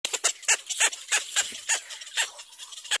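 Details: Little black cormorant about to feed its young: rapid harsh, raspy squawks in quick uneven bursts, roughly once per second or faster, loud and broadband throughout.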